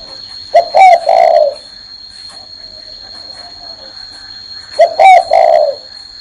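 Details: Two low three-part coos, about four seconds apart, from a spotted dove sitting on a hand; short notes lead into a longer falling tone, and a thin high whine runs throughout.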